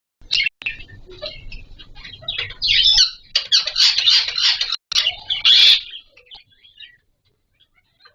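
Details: Green Indian ringneck parakeets, pets at mating time as breeding season starts, giving a jumble of shrill chirps, squeaks and raspy squawks, with a dense noisy burst midway and brief wing or cage rustles, fading out near the end.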